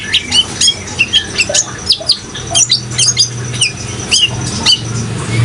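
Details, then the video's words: Kolibri ninja (sunbird) in full song, meant to prompt caged birds to sing: quick series of high, clipped chirps repeated several times a second, with trickling water behind. "suara kolibri ninja gacor dan suara air"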